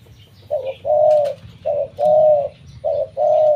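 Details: Dove offered for sale, said never to stay quiet and to keep calling all day with a big voice; deep, mellow coos in short-then-long pairs, three phrases in under four seconds, over a faint low hum.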